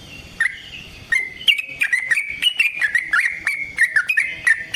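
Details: Yellow-vented bulbul giving long fighting song meant to lure other bulbuls into responding: a lively string of bright, slurred chirps and short whistles, each note dropping or rising quickly, delivered in a steady, uneven chatter.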